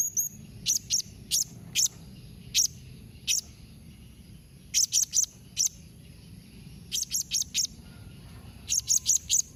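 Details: Blue-crowned hanging parrot calling in the memanggil nembak mbeset style, meant to make other hanging parrots reply. Short, shrill, high notes come singly and in tight clusters of two to four, spread irregularly over about ten seconds.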